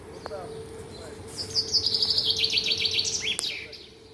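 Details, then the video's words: In the morning a bird delivers a two-second burst of fast, high, chattering notes in an even rhythm, closing with a sharp downward slur, against a faint background hum. "Таңкы чымчык сайроосу"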